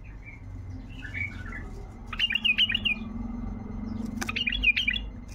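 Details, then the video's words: Wild bulbul in tayyariyat style, meant to start silent bulbuls singing: soft, faint warbles first, then two short bursts of fast, bright chirping notes, each opened by a sharp click, with a low hum underneath. "طياريات بلبل وحشي لفتح البلابل القافله"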